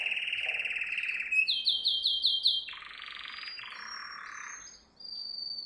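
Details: Canary song used for training young canaries: a buzzy trill near mid-high pitch, then a run of quick rising chirps, then lower rattling rolls and a thin high whistle after a brief pause.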